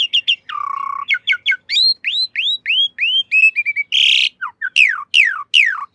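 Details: Asian pied starling master song for training caged birds, a varied medley of short whistles, a low steady hum-like note, arching upslurred whistles in series, a harsh burst and loud falling whistles.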